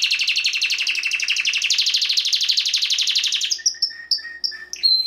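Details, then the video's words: Timbrado canary singing: a fast pulsed rolling trill for about three seconds, then several separate short whistled notes at two pitches. "CANARY SINGING BEST VIDEO TO TRAINING CANARIES"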